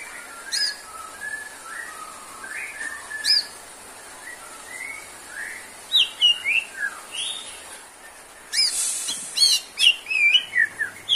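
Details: White-rumped shama, a therapy recording for birds low in stamina, singing in bursts of rich whistled phrases with sliding notes and sharp high accents, a quiet pause, then a loud run of varied notes.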